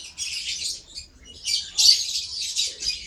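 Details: Short run of high, squeaky lovebird chirps, a rough chattering phrase, a brief lull, then sharper shrill notes.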